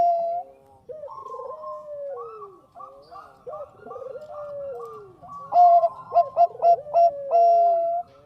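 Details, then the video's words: Lure song of an active Bangkok zebra dove: overlapping rolled, downward-curving coos in repeated phrases, followed by a loud, crisp series of short coos at a quick steady pulse. "SUARA PERKUTUT BANGKOK GACOR AMPUH UNTUK PANCINGAN"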